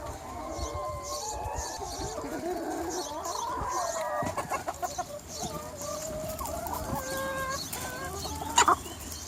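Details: Free-range chicken flock of about 200 birds on a sunny spring day, many hens clucking and murmuring together in a dense overlapping chorus, with short harmonic calls rising above the steady crowd noise.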